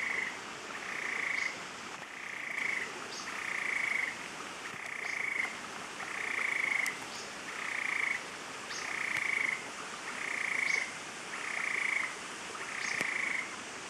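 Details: An endemic Stiles's tapaculo (Scytalopus stilesi) at La Romera in Colombia's Central Andes near Medellín repeats short, churring mid-pitched phrases about once every 1.25 seconds, steady and even, over soft background hiss.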